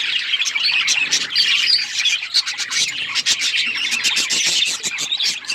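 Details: Budgerigars as pets chattering loudly, buzzy warbled phrases and sharp chirps from several birds overlapping continuously.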